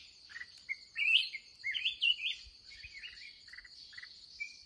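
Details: Aggressive wild red-whiskered bulbul encountered in a late-day trapping session; lively run of loud warbled, slurred phrases, with quick stuttered clicking notes between them over a constant high-pitched insect drone.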